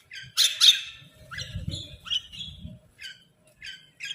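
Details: Crow food call: two loud, harsh squawks in quick succession open the sequence, followed by shorter, quieter squawks and scattered chattering notes from other birds over a low rumble.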